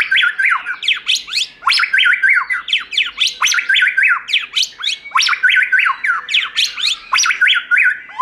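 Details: White-rumped shama singing in wild style, from an uncut continuous recording meant for training and rousing other shamas: dense, fast run of rich whistled and chattering phrases, mostly bright and mid-high, repeated several times per second with brief gaps.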